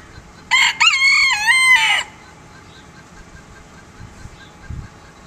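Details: Golden Sebright rooster crowing: a single harsh, strained crow of about one and a half seconds, broken into short segments with a wavering, slightly rising then level pitch, followed by quiet background.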